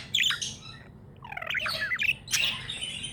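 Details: Happy pet budgerigar giving raspy squawks and a stuttering run of rapid chirps, harsh and high, filling most of three seconds.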